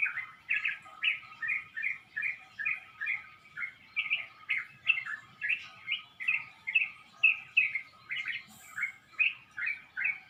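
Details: Dawn chorus at about 5 a.m. before sunrise, birds in a pomelo tree beside a house, likely males singing to attract mates and warn off rivals: a bird chirps steadily, short bright notes two to three per second over a faint high steady tone.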